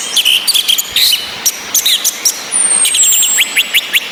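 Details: Female orange-headed thrush giving calls to boost breeding drive in males: repeated short high chips, a long thin falling whistle, and a run of quick rising notes at the end, over a rain-like hiss.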